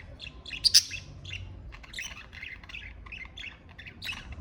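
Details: Pet budgerigar chattering steadily: a rapid run of short, scratchy chirps and warbled notes with one louder sharp squeak early on, continuing without a break over a faint low hum.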